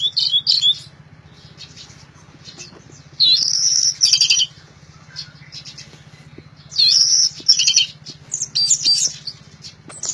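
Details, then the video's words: Loud orange-headed thrush song in three bursts of high whistled and twittering phrases, separated by pauses of a few seconds, with a constant low hum underneath. "Anis Merah Gacor Teler Suara Keras"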